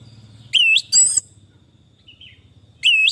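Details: Orange-headed thrush, recorded as therapy for stressed birds that stopped singing: loud swooping whistles in short phrases, a long pause, then the swooping whistle again, over a faint steady hum.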